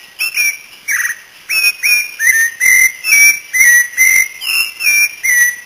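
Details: Cocoa thrush (Turdus fumigatus), a Brazilian bird, sings a fast run of clear, ringing whistles, about two a second, each note slurred and mostly level or gently falling.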